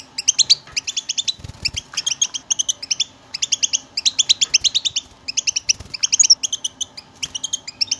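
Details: Goldfinch song aimed at getting silent goldfinches to sing: continuous fast, bright chirping phrases in runs of a second or two, with faint low thuds early on.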